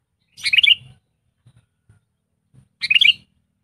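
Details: Trained sooty-headed bulbul (kutilang) decoy bird, used as a song master for bulbuls reluctant to sing, giving two short, bubbly, liquid phrases about two and a half seconds apart, with low rustling between.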